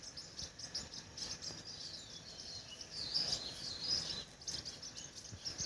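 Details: High-pitched chirping of a crimson sunbird, short thin notes strung together and growing denser near the middle, set against constant insect-like hiss and soft environmental noise.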